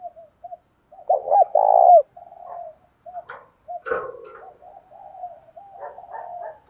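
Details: Spotted dove coos as a fight-provoking and calling lure. Soft, low hoots lead into a loud two-note coo and a long, burry, falling coo. A sharp click follows, then quieter repeated coos.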